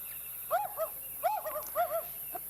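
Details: An African wood owl recording played for comparison during an evening safari drive in the African bush on 8 November 2016, while trying to identify an owl heard nearby. It gives short bursts of mellow, rounded hoots, a quick rhythmic run of about three to four notes repeated after a brief pause.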